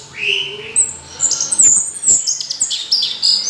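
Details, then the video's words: Orange-headed thrush pouring out a busy tangle of high chirps, squeaks and short whistles, the phrases overlapping closely with few breaks. "Anis Merah Kicau Sampai Teler"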